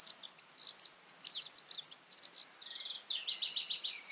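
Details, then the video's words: Wild Yellow-fronted canary, locally Mozambik, pouring out a rapid high twittering phrase, then a brief buzzy trill and a descending series of repeated notes before resuming the quick warble. "Suara burung Mozambik gacor di alam"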